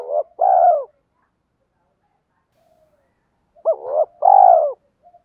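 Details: Spotted dove kept as a decoy, cooing to call in wild doves: two matching phrases about four seconds apart, each a short hooked note and a wavering note followed by a long, smooth, gently falling coo.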